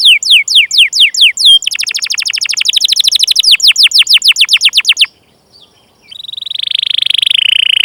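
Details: Canary lure song with 'cuit cuit' calling and rolls: several falling whistles, a long fast buzzy trill of repeated notes, a brief pause, then a smooth, steady rolling trill.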